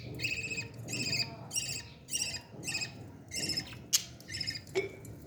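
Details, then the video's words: Baby parrot at feeding time making a run of short, grating, harmonic squawks, about eight bursts in five seconds, with a sharp click and faint low rumble in the background. "beautiful parrot 🦜 baby feeding"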